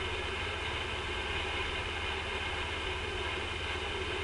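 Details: Steady broadband hum like an idling engine fills the recording, with no animal calls.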